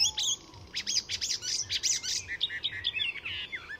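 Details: Full song of an Icterine warbler, a master mimic, recorded at a reserve north of Stockholm, Sweden: a fast, continuous chatter of harsh buzzy notes and sharp chirps, varied and tumbling without pause.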